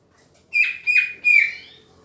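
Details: Green leafbird during pairing gives three rough, squawky notes, each about a quarter second long, the last one longer and trailing off, against a quiet background.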